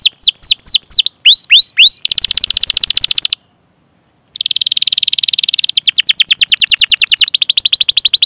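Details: Canary, rolling song used to prompt canaries to sing: falling whistled chirps lead into dense buzzy trills, a short silence, then long rapid rolls of even notes.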